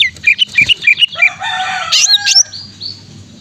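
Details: Greater green leafbird singing to stimulate a reluctant caged bird: a quick row of short whistled notes, then a harsher buzzy passage with two sharp high notes, over a faint background hum.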